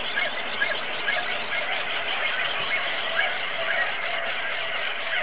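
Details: Many auklets calling together on Buldir Island, a thick unbroken chatter of squeaky, overlapping notes with small rapid peaks, like a crowded seabird colony.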